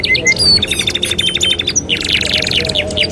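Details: Canary song for training canaries: a couple of clear whistled notes, then a fast even rattle of repeated chips, followed by a loud buzzy roll in the upper register.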